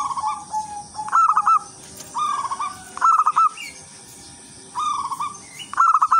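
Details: Wild local zebra dove in full lure song to attract other zebra doves, giving five short bubbling coo phrases of rapid stuttered notes, some climbing to a brighter ending, with steady background hiss.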